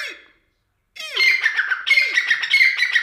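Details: A grey francolin gives a loud, grating call series after a short pause, harsh ringing phrases with a dropping low note, repeated quickly and unevenly.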